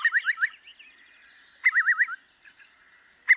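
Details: Eurasian curlew: two short runs of quick, looping bubbling notes separated by a pause with a faint drawn-out whistle, and a further note starting at the very end.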